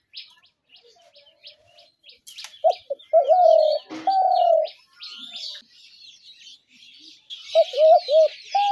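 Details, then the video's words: Spotted dove calls used to lure doves into traps: low cooing notes in two bursts, the longer mid-clip, amid many high chirps from other birds. "ঘুঘু পাখির ডাক/Dove bird calls/gugu pakir dak/ dove trap sounds/পাখির ডাক"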